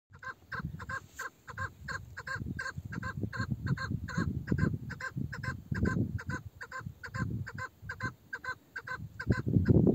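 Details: Old female chukar partridge, locally called meri, said to have a male-like voice, giving a fast run of hoarse, harmonic clucking notes, several per second, unbroken for ten seconds over low rumbling and thumping background noise.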